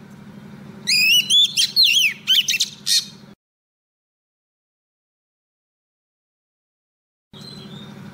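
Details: Female Oriental magpie-robin, a decoy bird, singing to call a male, recording used for trapping: about two seconds of loud, clear whistled notes rising and falling, then an abrupt cut to silence before a low steady hum returns.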